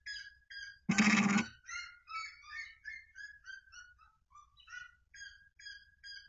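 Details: Red-legged seriema song: a series of loud, clipped, yelping notes with ringing overtones, each note dropping slightly in pitch and repeated in steady rhythm. A sharp broadband thump breaks in near the start.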